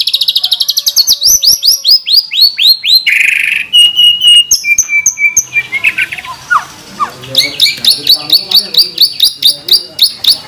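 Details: White-rumped shama (murai batu) song in training style with 'tembakan' fill phrases. A rapid series of sharp descending sweeps is followed by a harsh burst, clear repeated whistled notes, then quick high chattering chips.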